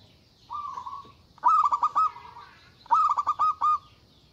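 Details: Zebra dove of local stock calling loudly to challenge rivals in an excited state: one smooth held hoot followed by two strong phrases of rapid clipped coos ending in a trailing tone.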